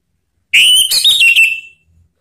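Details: Orange-headed thrush calling to draw other birds into song ('ngeplong'): one rich whistled phrase, about a second long, beginning with a rising whistle and breaking into rapid warbled notes before trailing off.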